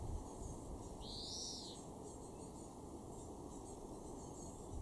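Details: A European greenfinch (Chloris chloris) in a garden in Weener, East Frisia, far northwestern Germany, in June 2024, gives one drawn-out, arching wheeze lasting under a second over steady low rumbling background noise.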